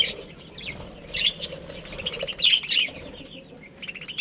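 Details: Budgerigars of a family colony give scattered high, sharp chirps in two short clusters, with soft rustling and wing movement between the calls.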